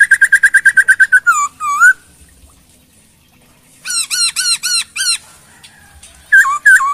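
Chinese hwamei song: a fast burst of about ten clear notes, then loud slurred whistles and rich, ringing downslurred phrases repeated in quick runs.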